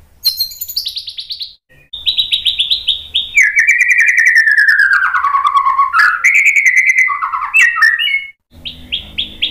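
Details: White-rumped shama song used to provoke other birds into singing: high piercing notes give way to a long, loud, sliding whistled phrase dropping in pitch, then varied chattering trills and short rising whistles.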